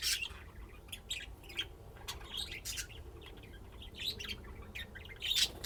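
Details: Pet budgerigars playing in Texas, USA: scattered soft chirps and clicks with a quiet stretch in the middle, louder chatter returning at the end.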